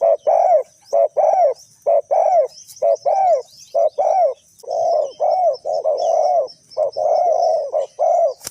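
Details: Spotted dove in Ninh Thuận, Vietnam, calling during bird trapping with a decoy: a rapid run of hoarse cooing notes, short doubled coos alternating with longer drawn coos, about one per second, with faint high chirps of other birds behind.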